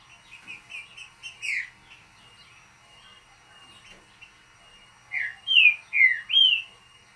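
A Green-winged Saltator gives its short 'mateiro' song: soft chirps, then four loud, slurred, falling whistles about half a second apart.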